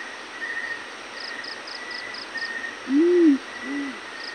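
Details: A yellow-breasted fruit dove's morning call: a deep, arched hoot, then a softer, shorter one, with faint high insect-like ticking and a steady hum behind.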